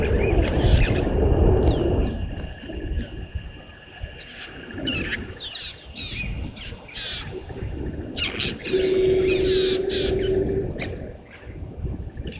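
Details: Rattling cisticola below the waterhole camera at Gowrie dam, Djuma Game Reserve, Sabi Sand, South Africa, at 06:31 on 13 September 2023, giving brisk, dry chirps and short rattling bursts over low rumble, hum and other birds.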